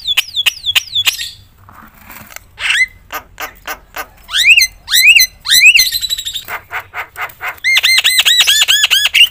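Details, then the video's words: Javan myna in loud, nonstop song packed with varied notes, meant to agitate other mynas: descending whistles, harsh squawks, then rising slurred notes and a fast run of bright, arching, repeated chirps. "suara KERAS jalak kebo gacor full isian bikin semua burung jalak emosi gacor"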